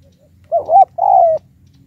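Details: High-pitched decoy spotted dove calling to challenge wild doves. A single mellow phrase: a wavering two-part coo followed by a longer, slightly falling coo, over a faint low hum.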